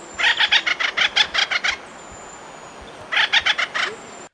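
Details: An acorn woodpecker gives a rapid, laughing series of harsh, nasal notes, about six per second, then a shorter burst after a pause. This is the call that Woody Woodpecker's call is based on.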